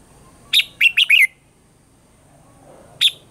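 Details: Morning song of a red-whiskered bulbul in a mature wild-forest voice, for training caged birds: a fast, cheerful string of four whistled notes dropping in pitch, followed after a pause by a single sharp chirp.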